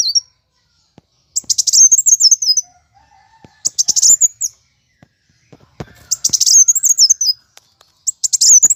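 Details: Fighting song of a plain sunbird, meant to stimulate kept birds: high, rapid chattering bursts with descending zigzag trills, four phrases spaced by quiet gaps holding faint lower tones.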